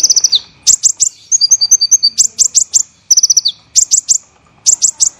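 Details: Olive-backed sunbird tutor song for songbird training, in the dense, harsh 'tembakan' style: high buzzy trills dropping at the end, a row of ringing two-note whistles, and quick clusters of sharp chips over a faint constant whine.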